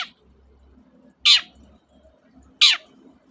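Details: Long-tailed shrike, a lure recording meant to prompt reluctant shrikes to sing: two loud, harsh, rasping calls, each sweeping downward, about 1.3 seconds apart, over faint low background hum.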